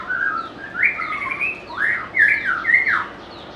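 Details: Rich whistled phrases from a White-rumped shama, a species said to have a sweet, varied voice, with swooping upslurred and downslurred notes in a loose, irregular sequence over a quiet background.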